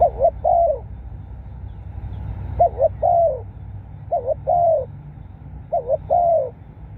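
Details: Spotted dove crowing coos as a decoy call: four mellow phrases, each a short bouncing double note then a sustained slightly sliding coo, repeated with brief gaps over quiet background hum.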